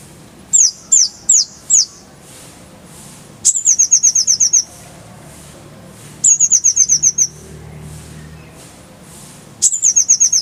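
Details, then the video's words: Van Hasselt's sunbird singing a full-fill 'roll tembakan' tutor song: three quick chips, then repeated bursts of fast, high, metallic trilling notes separated by short pauses, clear over a quiet background. "Masteran Kolibri ninja full isian, Roll tembakan Suara jernih"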